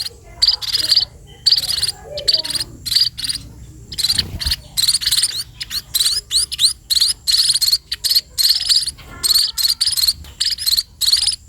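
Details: A long run of sparrow begging while being fed: rapid, shrill chirps, some with quick upward sweeps, repeated in uneven clusters almost without pause.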